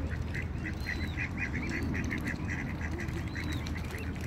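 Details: Ducks in a pond quacking in a fast, steady run of short nasal notes, several per second, over a low continuous rumble of background noise.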